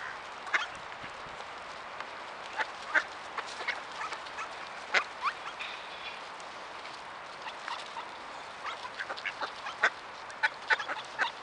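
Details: A flock of tame ducks being fed in November in the Ural region, coming close and begging for food, gives short, scattered quacks and chattering notes at an irregular pace over a steady background hiss.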